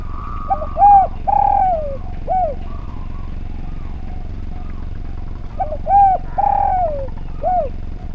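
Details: Spotted dove (derkuku) singing energetically on a training recording used to prompt other doves; two full cooing phrases, each of short notes, a long descending croon and a closing coo, with low background rumble.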